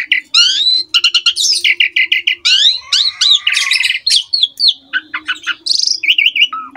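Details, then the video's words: A jalak suren, the Asian pied starling, pours out a rich, varied song of fast whistled notes, creaky squeaks, buzzy trills and liquid warbles in quick succession. The recording is intended to teach young starlings. "MASTERAN BURUNG JALAK SUREN GACOR FULL ISIAN MEWAH MUDAH DITIRU OLEH JALAK SUREN MUDA"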